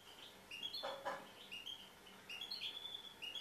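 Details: Tamed European goldfinch singing: sparse, quiet, clear whistled notes and short slurs, some rising, separated by pauses, with two brief broadband knocks near the start.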